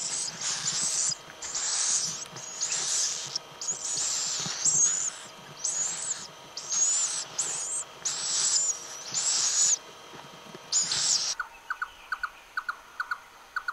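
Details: Little owl producing a long run of breathy, high hisses, about ten bursts roughly a second apart, ending abruptly and giving way to a quick series of soft, regular low ticks.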